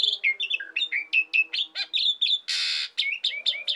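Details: Energetic 'gacor' song of an Asian pied starling, recorded as a lure and tutor for songbirds. Quick chattering whistles alternate high and low, broken by one harsh, noisy rasp near the end.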